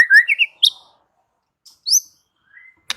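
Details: White-rumped shama giving a short burst of rising whistled notes, then sharp isolated chips and a thin level whistle separated by silent gaps, ending in a click.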